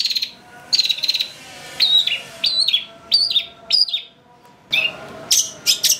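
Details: Long-tailed shrike lure to set a bird singing excitedly. Repeated whistled notes that slide downward arrive in spaced groups, ending in a few sharper, buzzier bursts.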